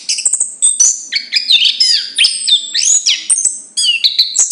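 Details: Rapid, rich warbling from a chestnut-capped thrush, Zoothera interpres: high thin whistles mixed with looping up-and-down slurs and short chattering bursts, delivered almost without pause across the phrase.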